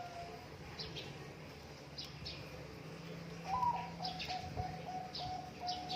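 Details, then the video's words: Zebra dove song used as a training recording for birds reluctant to sing: a brief cooing phrase at the start, then a later run of soft, evenly spaced cooing notes, over constant low hum and scattered high chirps of other birds. "masteran perkutut yang malas bunyi"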